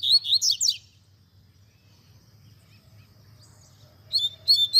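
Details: Double-collared seedeater (coleiro) singing the tui tui zel zel style used as a teaching song for young birds, set to nature sounds: a quick burst of high, buzzy, sliding notes, a pause, then another rapid phrase; faint low hum beneath.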